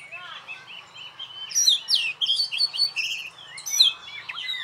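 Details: Oriental magpie-robin, a caged contest champion, singing alone: rich high whistles and rapid twisting trills, loud bursts with sweeping notes, over a faint low hum.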